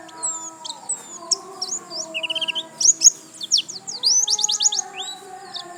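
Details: Pleci, a white-eye, in energetic 'gacor lasroll' song: high whistled slurs, a quick trill of short descending notes midway, then dense bursts of sharp chirps, with soft steady low tones behind.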